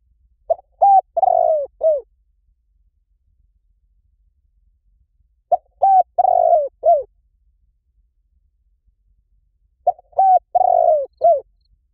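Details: Spotted dove coo phrases on a recording used to lure doves. Three phrases about every five seconds, each a quick soft note, a clear coo, a long burry falling coo and a short sliding final coo. Quiet background.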